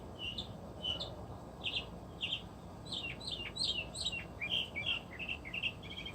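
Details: Northern mockingbird, one of many resident birds at an animal refuge, singing outdoors: clear chirped notes repeated in pairs, then a fast jumble of varied squeaky and slurred phrases, over a low steady hum.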